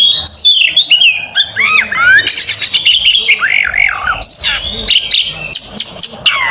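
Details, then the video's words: Oriental magpie-robin, a fighting bird, singing as a master for young birds: mixed whistles and harsh rasps, with a zigzag run of rising and falling slurred notes midway. "kacer petarung gacor buka paru buat masteran dan pancingan kacer muda"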